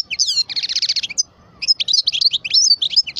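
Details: Song of a parva European goldfinch, twelve years old. It begins with bright, fast-rattled buzzy trills, then a brief pause, then a lively cascade of high tinkling twitters and sharp chips.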